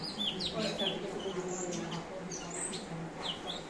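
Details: Varied song of the cucak cungkok, a mimic kept as a tutor bird for champion songbirds: quick bright whistles and down-slurred chirps in a busy string, with faint chatter of people in the background.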